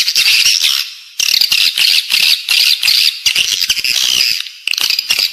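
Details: Edible-nest swiftlet calls played inside a building to lure swiftlets: dense, high chattering twitters in bursts of about a second, separated by brief quieter gaps, with rapid clicky pulses throughout.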